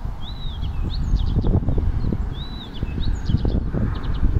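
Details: Blyth's reed warbler singing at Frantsila on June 21: unhurried phrases of slurred high whistles and short ticking notes, with a near-repeat after about two seconds, over a steady low rumble.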